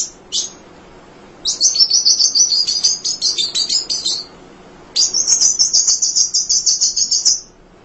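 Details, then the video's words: Munia (emprit) in tireless song for coaching other songbirds: two long, fast trills of high, buzzy, ticking notes, each lasting a few seconds, preceded by two short chips, with a quiet background. "Kicau Emprit Ngoceh Tak Kenal Lelah Untuk Masteran"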